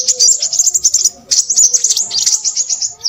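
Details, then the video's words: Crimson sunbird chattering loudly: fast, thin, high-pitched twittering phrases with a brief break near one second, over faint low tones. "burung sepahraja ribut"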